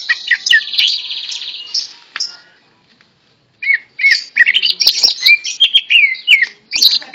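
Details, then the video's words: Greater green leafbird, tame and singing even in a hand: a buzzy trilled phrase, a brief pause, then a burst of quick whistled notes and chirps in varied, fast sequence. "Burung Cucak Ijo Jinak Gacor Meskipun Di Pegang Tangan"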